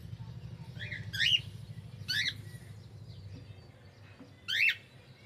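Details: Pet cockatiel singing: three brief, sharp chirping whistle bursts at about 1.2, 2.1 and 4.6 seconds, with faint softer notes between them and a low rumbling background noise.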